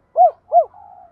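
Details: Spotted dove coo fragment for bird keepers: two loud, arched, hollow hoots in quick succession, followed by a faint, level trailing hum; no background noise.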